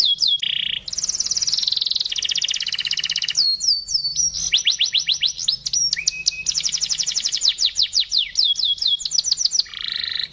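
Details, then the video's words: Canary delivering a luxurious, crystal-clear song meant for training young birds: continuous rapid trills and sweeping high notes shifting pitch every second or two, with a buzzy lower roll at the end. "kenary cengkok mewah suara ngristal sangat cocok buat masteran"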